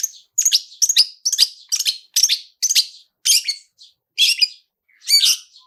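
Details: Long-tailed shrike "toet toet" prompting sound used to trigger singing, quick harsh chirping notes in close succession, several per second at first, then spacing out into louder, rasping double notes.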